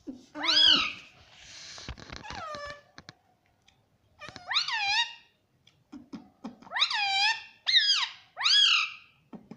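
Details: Talking pet rose-ringed parakeet indoors saying "mummy" and "papa": loud, nasal, arched harmonic syllables in pairs and triplets with brief pauses, plus scattered clicks and tapping.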